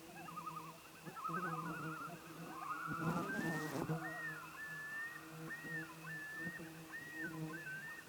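A Common Loon gives wavering tremolo notes, then a run of rising-and-falling yodel-like phrases about once a second, over a low steady hum and a brief rustle.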